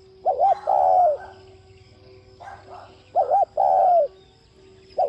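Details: Spotted dove cooing, a recording used to stimulate other doves to coo: a quick double-looped note followed by a long, slightly falling coo, repeated twice with a short opening of a third; steady low hum beneath.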